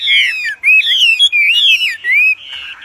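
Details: Wambi in full voice, a loud song used for tutoring songbirds: long sweeping whistles that rise and fall smoothly, joined in fluid phrases broken by brief gaps.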